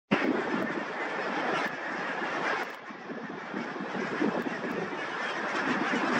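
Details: A large flock of barnacle geese at Tiskre beach, Tallinn, Estonia, gives a dense, continuous chorus of short, yapping barks that overlap into a steady roar.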